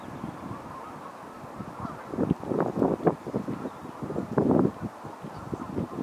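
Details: Geese flying by and coming in to land on the River Dee at Connah's Quay docks on a windy day: a dense chorus of overlapping nasal honks building after two seconds, over steady wind rumble.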